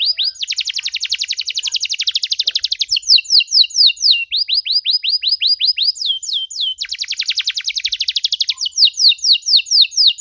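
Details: Canary delivering a long 'cengkok mewah' song meant for young canaries to learn from: very fast buzzy high trills alternate with series of clear descending whistled slurs, looping through about ten seconds of continuous singing.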